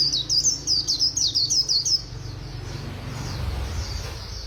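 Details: White-eye in quick 'líu' song: two seconds of rapid, high, sweet twittered notes, followed by a steady low background rumble.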